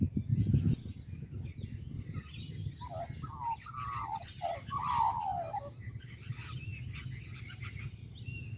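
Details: Australian magpie on a tree in Kings Park, Perth, Western Australia: after a brief low thump, a string of four or five flute-like descending glides around the middle, then faint distant chirping and low hum.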